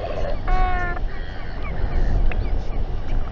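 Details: Royal albatross amid a tense gathering and fight by a nest in New Zealand, evening of 27 January 2021, live camera: one brief, flat, reedy harmonic moan lasting half a second, then faint calls under wind noise.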